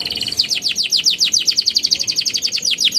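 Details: Chattering song of a young canary used as a singing prompt: an even, rapid run of bright downward-slurred notes, roughly eight per second, held through the whole stretch.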